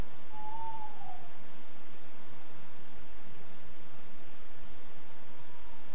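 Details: Tawny owl, a calling male with a female in the background, on a woodland webcam on 11 February 2012. One drawn-out mid-pitched hoot lasts about a second and dips slightly at its end. A fainter note follows near the close over a steady hiss.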